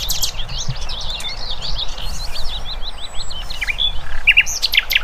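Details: Wild birds in a dense chorus: many overlapping quick, high, slurred chirps and twitters, some louder short notes near the end, over a steady low outdoor rumble.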